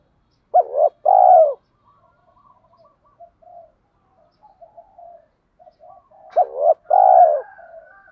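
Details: Spotted dove cooing, used to stimulate birds in training; recording includes male and female birds. Two loud phrases, each a short rising double note followed by a drawn-out coo, about six seconds apart, with faint soft murmurs between.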